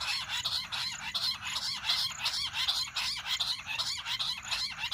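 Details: Bush quail calling, a sound used for hunting: harsh, rhythmic chirping bursts repeated steadily, overlapping into a busy chorus-like chatter throughout.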